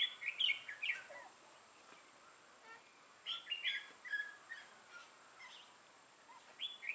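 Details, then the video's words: Red-whiskered bulbul with a dark throat and bold bib, a decoy bird used for trapping, recorded 6 November 2018; bursts of bright warbled notes in short phrases separated by pauses, with faint clicks and a steady background hum. "Bẫy chào mào Mào lân hầu bò yếm đậm"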